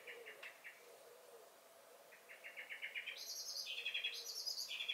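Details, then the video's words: Blackbird (Turdus merula) in a May 2021 garden: hard chink alarm notes in two quick series, followed by higher, thin, rapidly trilled phrases stepping up and down in pitch. "Song and Alarm Calls of the Blackbird"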